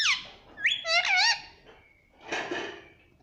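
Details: Parrot talking: a falling squeal, then a rapid sequence of bending, speech-like tones, followed by a softer, breathy, noisy phrase after a short pause.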